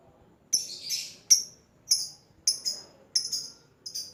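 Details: Lovebird calling out to lure and answer a rival. Sharp, high, squeaky chirps come singly or in short pairs, roughly every half second to second, with brief silences between. No other sounds are clear.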